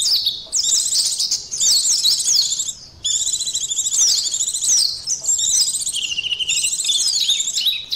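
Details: Oriental white-eye song used to test a bird's emotion and arousal levels: rapid, high twittering warbles in dense bursts of about one to one and a half seconds, separated by brief gaps.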